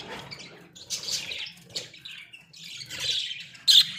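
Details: Pet budgerigars in a small cage give a few separated raspy squawks, then a sudden loud, piercing chirp near the end, with quiet gaps in between.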